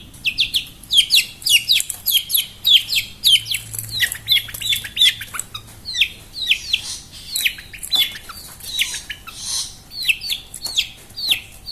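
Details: Long-tailed shrike, described as a mental fighter in gacor dor form, delivering a quick series of sharp, down-slurred chirps, roughly two per second, with short clustered bursts and brief gaps.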